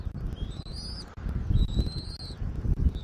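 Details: Eagle at a nest in Southwest Florida, filmed on 13 January 2024 at 14:17. Two high, thin whistled notes slide slightly upward, against steady low wind rumble.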